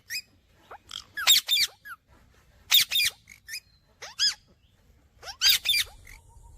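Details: Pet Indian ringneck parrot chirping in repeated clusters of harsh, buzzy squawks mixed with short rising squeaks, roughly every one to two seconds, against faint low noise.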